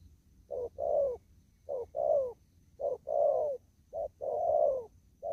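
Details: Spotted dove still living free in a field, cooing in 'đồng thúc gù' manner: five close pairs of mellow coos, each a quick note then a fuller, slightly wavering longer note.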